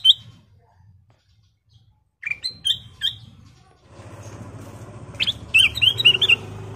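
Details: Golden-coloured sooty-headed bulbul singing vigorously: several bright whistled notes and short phrases, some rising, followed by a quick run of chirpy whistles over a growing steady rumbling noise.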